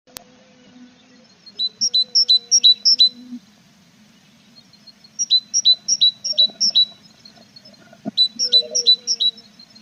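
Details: Tits at a nest box with chicks growing more feathers, recorded 21 April: three bursts of rapid high, thin chirps in doubled notes, each burst about a second long, separated by pauses, over a steady low electrical hum.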